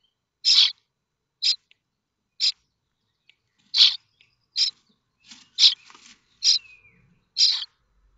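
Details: Common starling young in a nest at Théding, France, 7 May 2024, begging when a sound suggests a parent bringing food; loud hoarse, hissing bursts about once a second, with scratchy rustling between later calls.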